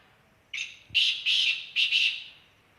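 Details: Black francolin recorded in Khushab: a harsh, grating call in a few loud buzzy bursts, the first brief, then paired grating notes, all within a couple of seconds over quiet background.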